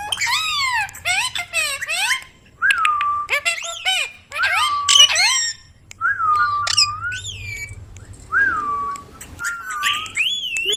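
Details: Ringneck parrot, a talking pet bird, giving a run of whistled, harmonic-rich calls: repeated rising-falling notes, short bursts separated by brief pauses, some sliding upward, with a faint low hum beneath.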